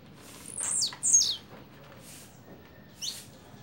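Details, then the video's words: Blue-black grassquit double song: two sharp, high, buzzy descending notes in rapid succession, then a fainter single note, over steady low background noise. "Tiziu canto duplo"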